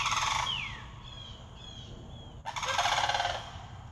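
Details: One of four visiting sandhill cranes, very vocal that day, gives two loud, rolling, rattling bugles, each under a second long, over a steady low rumble of wind.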